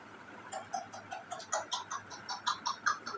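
An African grey parrot gives a quick, uneven run of short clucking, clicky notes, two to four a second, over a faint background hiss.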